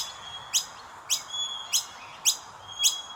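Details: Chubby common myna babies calling as the adults feed them, giving five crisp, high upslurred chirps spaced about half a second apart, with faint sustained whistles in between.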